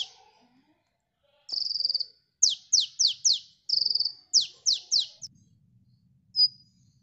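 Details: Sunbird song meant for luring other birds: high buzzy trills alternate with clusters of quick, sharp downslurred notes, then a pause and a single thin whistle, with faint low rumbling underneath.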